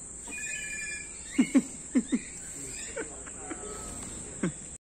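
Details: A common hill myna at Jamshedpur Zoo, after lockdown, repeatedly imitates "hello" in short, voice-like hoarse syllables in quick pairs, over a steady high-pitched whine.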